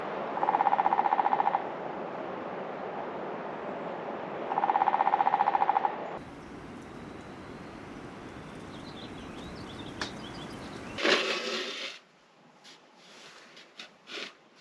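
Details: A woodpecker pecking at wood all morning near an off-grid cabin on a cloudy, overcast morning, in two rapid, even rolls of about a second and a half each, then quieter outdoor noise and a short stretch of music.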